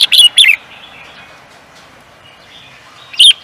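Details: Bird singing for competition: opening pair of bright chirped notes with a slurred drop, a long quiet gap, then a single loud high note near the end.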